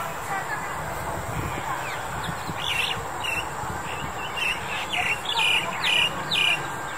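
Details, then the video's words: Female Asian Koel recorded in February 2021 gives a series of sharp, high, clipped notes roughly every half second, growing louder toward the end, against constant low background noise. "噪鵑 (雌) Asian Koel (female)"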